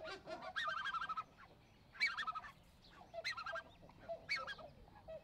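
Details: Black-necked swan (Cygnus melancoryphus) kept by waterfowl fanciers, giving soft wheezy whistled calls in four spaced bursts about a second apart, with faint background chatter between them.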